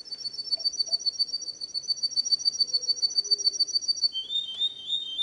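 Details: Canary song for schooling young birds: a quick, rolling, high trill held for several seconds, then dropping abruptly to a lower, slightly slower trill at the end.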